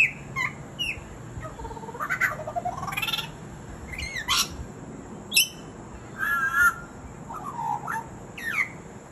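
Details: ['Butcherbird in mimicry: a varied run of whistled, slurred and rising notes, some harsh and squawk-like, delivered in irregular bursts over about nine seconds with quiet gaps between phrases.']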